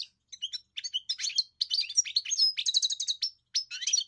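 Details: European goldfinch song starting with spaced, clear chirps, then building into dense twittering and a fast repeated trill before a final chattering burst.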